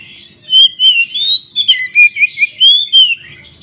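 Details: Provocation song of a White-rumped shama, meant to make other shamas aggressive: smooth up-and-down whistles followed by quick repeated chirping notes, then more whistles.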